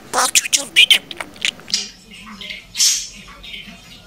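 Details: Pet budgerigar that memorizes and repeats what is said around it, talking in a high, thin voice: a quick string of chirpy syllables, then softer, drawn-out word-like phrases.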